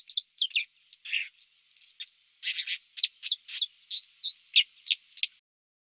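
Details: Song of a white-throated dipper along the Lieser river in Wittlich in 2019, a hurried stream of high scratchy chirps and short twittering notes.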